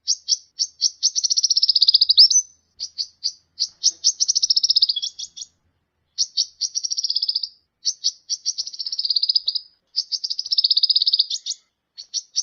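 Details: Sunbird song recorded for training songbirds: repeated bursts of rapid, high, buzzy trills broken by short pauses, mixed with quick separate chirps, clean with no other sounds.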